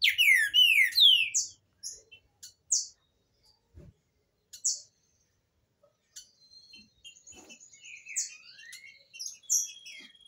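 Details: Green-winged saltator song for teaching young birds: a loud run of slurred falling whistles at the start, then scattered sharp notes and softer twittering from other birds.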